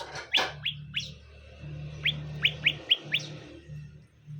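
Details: Greater green leafbird, male and female being paired: a series of about eight short, sharp upward-sweeping chirps, loosely spaced, over a steady low hum.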